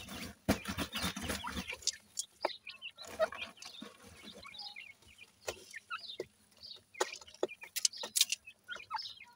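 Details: A group of Grey francolin chicks at play: a low scuffling burst at first, then irregular high peeps and chirps with occasional sharp taps.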